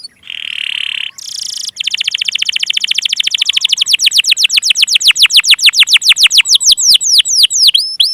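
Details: Canary lure song (pancingan) meant to get silent and young canaries singing: a buzzy opening note, then a long, steadily louder train of sweeping whistled notes that slows toward the end, finishing with upslurred notes.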